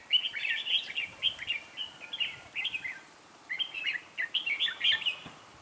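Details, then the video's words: Red-whiskered bulbul acting as a trainee lure bird beside a trap, recorded 11 December 2016: a dense run of loud, sweet, chattering warbles, phrase after phrase with a brief pause midway. "Bẫy chào mào Mồi tập sự ra trận"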